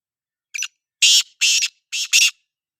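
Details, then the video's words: Harsh rasping call of a black francolin, known locally as kala teetar: one short introductory note, then four buzzy, grating syllables in quick sequence, the final pair nearly joined, with no other sounds behind. "Kala Teetar bolai | Kala Teetar ki awaz"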